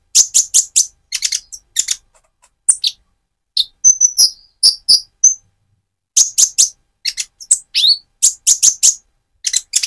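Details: Van Hasselt's sunbird, a speckled moulting bird, singing to provoke another bird: clusters of rapid high-pitched chirps separated by short gaps, with a few thin whistled notes in the middle.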